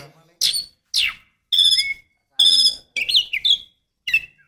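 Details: Female white-rumped shama calling to stimulate a male: short sharp chirps and a few harsh notes, then clear whistled phrases with rising and falling slurs, separated by brief silences.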